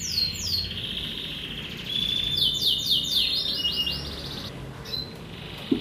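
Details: Morning singing by a kenari merlok canary: bright descending swept notes in quick succession, a whistled tone with rapid rolls, then softer level notes, with a faint click near the end.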